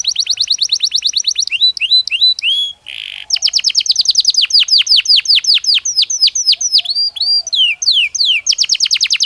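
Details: Natural song of a Belgian canary, played to stimulate other canaries: continuous varied phrases of fast trills, slurred whistles and a short buzzy burst, with barely a pause.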